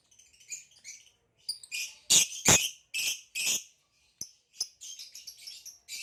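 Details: Green hybrid male Nyasa lovebird and a Lilianae (Nyasa) lovebird chatter in rapid, high, scratchy chirps and buzzy squeaks, broken by a few sharp louder clicks.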